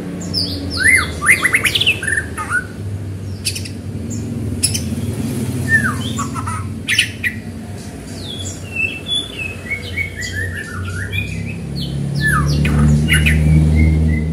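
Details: White-rumped shama singing to stir other shamas into song: a fast, varied stream of whistled, slurred notes and sharp high chips, tumbling between low and shrill phrases, over a steady low hum.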